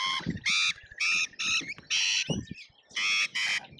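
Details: Lorikeets feeding frantically at a feeder in Australia, recorded on a feeder camera: loud, strident, harmonic screeches in separate blasts about every half second, with a knock and some rustling between them.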